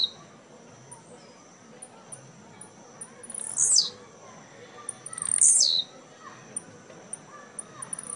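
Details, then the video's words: Tournament songster, a caged blue-black grassquit at Jacarepaguá, Rio de Janeiro, Brazil, 2017; two loud high buzzy downward-sweeping bursts about two seconds apart, with thin high ticks scattered around them. "Tiziu CAMISA 10 ' 2° lugar & EXPLOSIVO 4° lugar no torneio de Jacarepaguá"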